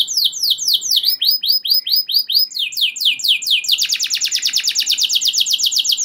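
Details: Canary singing with long rolls to provoke other canaries; spaced down-slurred whistles speed up and merge into a loud, rapid, sustained rolling trill.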